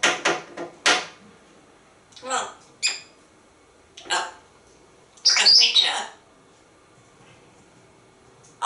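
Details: Talkative pet African grey parrot, hatched in 1997 and kept in a Texas home, in an office asking for a cookie; short spoken-word bursts and a loud harsh squawk near the middle, separated by quiet pauses.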